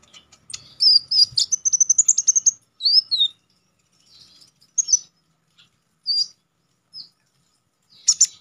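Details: Konin, or Orange-headed Thrush, singing sharply in a wild style for contest-training use: a fast run of high stuttering notes, then a downward-slurred whistle and short scattered chips separated by silent gaps.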